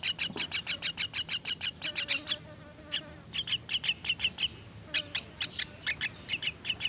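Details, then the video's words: Myna chicks being fed: rapid series of high, harsh chirps repeated about four times a second in bursts, with short pauses between bursts. "Feeding myna's chicks"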